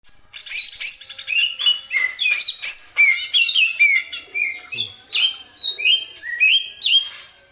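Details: Greater green leafbird, likely a kept bird used for song training, delivering a loud varied song of sweet whistled slurs and rapid chattering notes, phrases falling from high to mid pitch and repeated in quick bursts.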